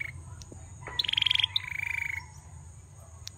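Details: Single phrase from a singing male bar-winged prinia: a half-second burst of rapid high pulses, a brief pause, then a steadier lower buzzy trill lasting about half a second.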